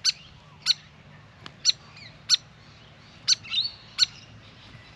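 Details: Grey fantail at a garden birdbath, fidgeting after bathing: loud, crisp chip notes repeated roughly every half to one second, one brief squeaky twitter between them.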